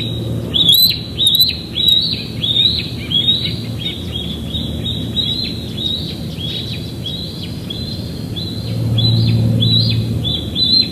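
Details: Young bald eagle chasing an adult around the nest area at Big Bear Lake, evening, 21 June 2022, live cam: long chattering series of high, slurred squeals, about one and a half per second, with faint background rumble.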